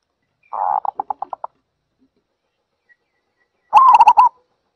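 Zebra Dove giving soft, rapid staccato cooing notes that speed up and fade, then a longer rolling, trilled coo after a short pause.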